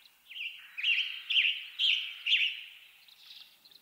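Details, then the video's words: Western North American western tanager delivering a steady run of five buzzy, robin-like phrases about half a second apart, then a few fainter trailing notes as the singing fades. "Western Tanager Bird Song"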